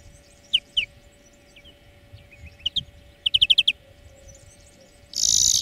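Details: European greenfinch song played as a lesson for training birds: a few sharp, high chirps, then a quick run of five bright repeated notes, over a steady electrical hum, ending in a sudden burst of loud hiss.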